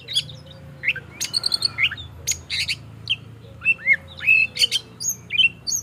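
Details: Oriental magpie-robin morning song used to spur other caged magpie-robins into singing: short bursts of whistled slurs, clicks and bright chirps, separated by brief pauses, over a faint low hum.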